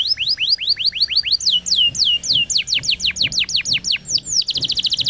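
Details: Champion-style canary roll song used to train young canaries, with fast series of sweeping downward whistles repeated several per second. The phrase slows into longer slurred notes, then breaks into a rapid high chatter at the end.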